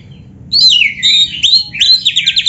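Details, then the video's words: Gacor white-rumped shama song for training other birds: after a short quiet start, a loud descending whistled slur, then rising notes ending in a fast trilled rattle. "SUARA BURUNG KACER GACOR ISIAN‼️Masteran Kacer Gacor ini Cocok Buat Pancingan - AGAR CEPAT GACOR"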